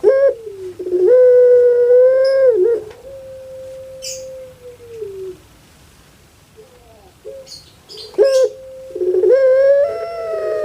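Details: Puter pelung dove kept in captivity in Indonesia, the call compared to a crying baby: a long quavering coo held steady and sliding down, a quiet gap, then another stuttered coo beginning.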